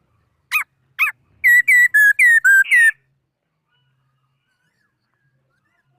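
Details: Laughingthrush song recorded in 2018: two short sharp notes, then six loud ringing whistled notes delivered rapidly and evenly, followed by silence.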